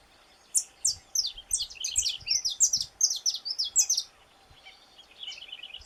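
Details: After a brief quiet start, a Brazilian saffron finch bursts into a dense rush of sharp, high chirps for about three seconds, then trails off into softer twittering.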